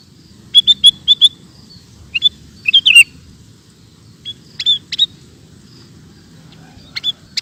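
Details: Sooty-headed bulbul in very active ropel singing, giving scattered short chirps and clipped whistled notes in loose clusters, with pauses between groups and a faint low rumble underneath.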